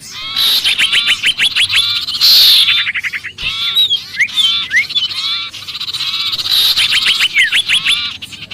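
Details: Sirpu in distress as if caught, used for luring other birds: loud, hurried bursts of clicking chatter and buzzy notes with scattered rising and falling whistles.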